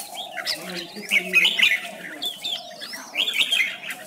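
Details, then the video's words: Red-whiskered bulbul in contest song meant to stir other bulbuls: two strong warbled bursts separated by quieter chatter, over low repeated mellow notes. "Chào mào hót múa đỉnh"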